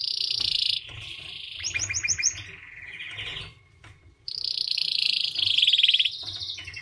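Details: White canary in full song: dense buzzy trill, a brief run of crisp repeated notes, a near-silent pause, then another long loud rolling trill.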